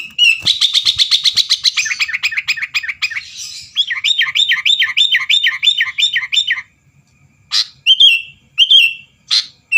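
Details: Sooty-headed bulbul song meant to provoke rivals into singing: a fast buzzy trill, then a long run of rhythmic looping whistled notes repeated several times a second, a short gap, and a few sharp whistles.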